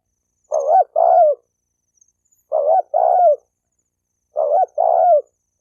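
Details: Spotted dove coos meant to incite males and females to fight: three two-note phrases, a short rising note then a longer falling coo, repeated roughly every two seconds with silence between.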